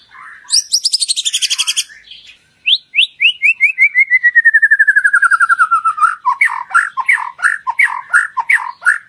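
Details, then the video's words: Lure song of the white-rumped shama (murai batu), used to draw out a shama's loud singing and its full repertoire. A harsh buzzy rattle gives way to a cascading series of clear whistles, then choppy, varied notes. "Pancingan Murai Batu Agar Bunyi Ngeplong 99,99% Bongkar Isian"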